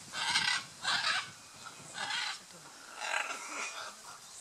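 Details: Scarlet macaws in courtship display at Playa Blanca, La Palma, Osa Peninsula, Costa Rica. Five or six coarse, nasal squawks follow one another at roughly half-second intervals, the later ones softer.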